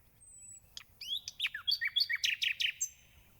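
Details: Singing nightingale: a thin, high, held whistle, then sharp varied notes that build into a rapid run of about eight loud, clipped notes, with faint low rumble behind.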